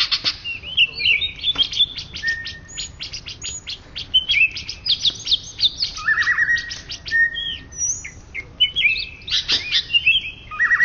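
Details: Greater green leafbird, Indonesia's top-ranked song bird of 2013–2014, mixing rapid clicks with ringing flat whistles and a few lower slurred notes in a continuous, restless stream.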